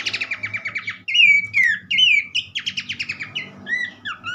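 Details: Abbott's babbler in lively full song, used to stimulate other birds to sing: rapid buzzy chattering note series alternate with clear whistled notes that slur downward, plus a few short rising whistles, in a continuous varied phrase.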